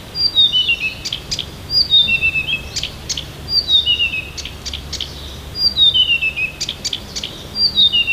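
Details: Siberian bird in morning song near Tomsk, repeating a verse roughly every two seconds: a cascade of high whistled notes stepping down in pitch, capped by a cluster of sharp dry clicks.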